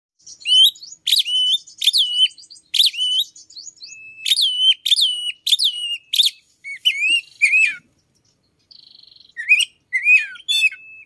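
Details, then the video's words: Oriental magpie-robin singing in the morning, its song said to include notes like the chim sâu đầu đỏ; loud, varied phrases of sharp whistled notes with sweeping slurs, repeated bursts about every half second, a brief buzzy pause near the end. "chích chòe than hót buổi sáng"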